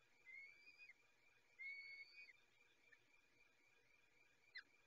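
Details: Peregrine falcon at feeding time, giving two drawn-out, thin whistled whines, level then slightly dipping at the end, followed by a faint short squeak. The background is a quiet room hum.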